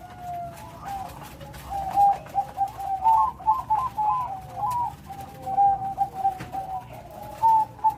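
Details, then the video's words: Bangkok zebra dove singing briskly with a big voice: gentle cooing notes lead into a faster burst of ringing, trilled coos, then slower paired notes. "Burung perkutut bangkok gacor.Suara besar. Irama lengkap."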